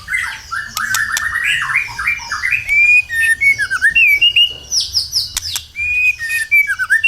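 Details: Lure song of a white-rumped shama meant to get other birds singing: rich, fluid whistled phrases, rising and falling, with clear pure notes and high sweeping trills. No other sound is heard.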